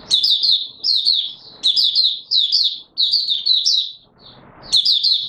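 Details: Opening song of an Oriental white-eye (Mata Puteh Raja), 24 March 2022: repeated bright, high-pitched chattering phrases, each a rapid string of slurred chips, with a brief lull and a soft rustling before the final burst.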